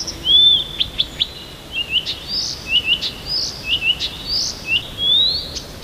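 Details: Morning song of a small Siberian bird near Tomsk, with varied verses: a rapid run of high, sharp whistled phrases, rising and falling slurs and short chips that follow one another with barely a pause.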